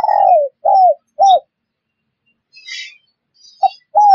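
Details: Spotted dove call meant for luring wild birds: a long falling coo, then two short arched notes, a pause with a faint chirpy rustle, and the phrase starting again.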